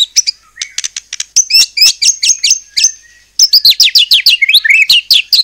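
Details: White-rumped shama singing a lively song used as a lure to provoke other shamas into answering: high whistled notes with sharp clicks, repeated bursts, a brief pause near three seconds, then rapid rising and falling whistles.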